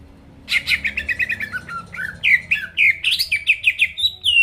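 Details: Lively greater green leafbird song aimed at stirring rival birds to sing, a fast stream of chattering notes giving way to sharp rising and falling whistles.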